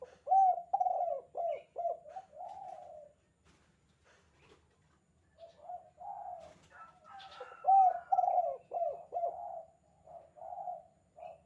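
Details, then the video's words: Spotted dove in the 'kuk 2' style, recorded for training other doves; two bursts of low, rolling coos, each opening with stuttered notes and ending in a longer hollow coo, separated by a quiet gap. "suara panggilan tekukur kuk 2 gacor"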